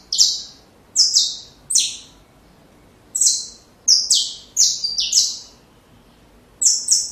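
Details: Saffron finch singing for young birds to learn: groups of two to four buzzy, high notes broken by silences of about a second.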